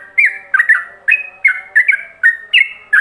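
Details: Ropelan-style yellow-vented bulbul song used as a model for other bulbuls: rapid clear whistled notes, each with a short upward or downward slur, repeated almost three times a second over a faint steady humming background.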